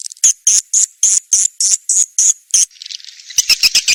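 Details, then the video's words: Swiftlet lure call meant to draw swiftlets to nest houses: a series of loud, high chirps about four per second, then a softer buzzy twitter, and finally rapid clicking chirps. "suara panggil"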